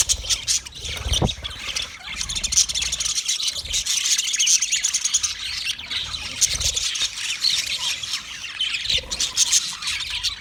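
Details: Long run of busy budgerigar twittering, many high chirps and raspy squawks layered together, with faint low rubbing noises in the background.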